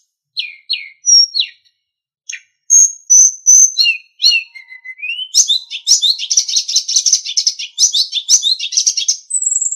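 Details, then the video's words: Sulingan master song meant for tutoring captive songbirds, opening with spaced sharp notes and whistles, then a rapid, rich babbling warble, ending on a long high pure whistle. "Masteran Terbaik Sulingan"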